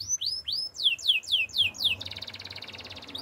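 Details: Russian canary pouring out rapid downward-slurred whistles, about four per second, shifting into a fast pulsing rattle-like trill. Low background hum throughout.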